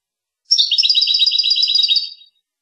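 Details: Rasta Torka song style of a goldfinch from Tunis, sung without fault: a sustained, rapid, jingling trill of about twenty high, evenly repeated notes that fades at the end. Clean background.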